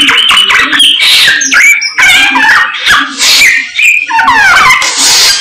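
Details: Samyong, the Chinese hwamei, in energetic nonstop song: bursts of clear whistles, buzzy trills and steep slurred notes in phrases about a second long, separated by brief gaps, very loud and close.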